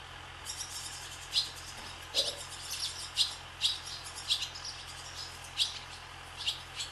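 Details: Over a swallow farm, barn swallows sweep through the sky calling: bright, clipped high twitters repeated roughly every half second to second, with fainter chirps in between and a low constant hum underneath.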